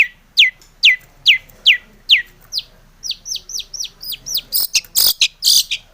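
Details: Long-tailed shrike song used to lure other shrikes into singing: clear downslurred whistles about every half second, then quicker arching notes and a few loud harsh bursts.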